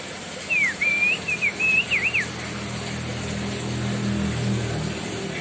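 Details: White-bellied bushchat (Decu Timor) singing as a tutor for other birds: a short phrase of clear, looping whistled notes lasting under two seconds, followed by a steady low hum in the background.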